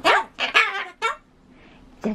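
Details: A pet Ducorps's cockatoo chatters while trying to say bye-bye, giving short, raspy, speech-like bursts, four quick syllables in about two seconds, rising and falling in pitch, in a small room.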